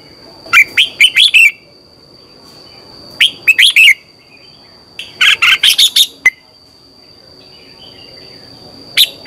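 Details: Red-whiskered bulbul in 'chè' morning song, a training lure: three phrases of four to six bubbly, whistled notes spaced a couple of seconds apart, then a lone note near the end; faint steady high tone throughout.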